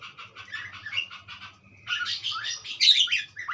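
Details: A budgerigar sings a soft run of scratchy chirps, then a louder, busier stretch of buzzy twitters and high squeaks.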